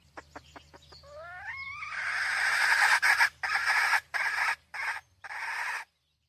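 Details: Red junglefowl hen, 2023: several quick clucks, then twin rising squeals that turn into a long, loud, harsh cackle broken into uneven bursts before stopping.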